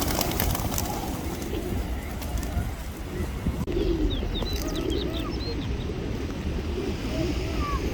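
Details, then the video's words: Thousands of hungry pigeons being fed in the UK: low, muffled cooing under a constant rumble of flock noise and wing flutter, with thin, sliding high chirps from small birds breaking through in the second half. "Feeding Thousands Of Pigeons in UK - Pigeon Sound Effect"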